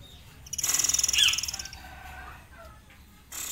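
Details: Tame forktail in 'ngitir' master song: a fast, harsh, buzzing trill of rapid pulses lasting about a second, with a brief squeaky whistle inside, then quieter faint notes.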